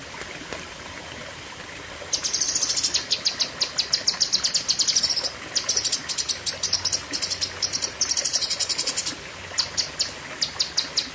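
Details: Lesser green leafbird (cucak kinoi) after two seconds of near quiet breaks into loud, dense trains of high, sharp repeated chirps lasting several seconds, pausing briefly and resuming, then tailing off in sparser notes.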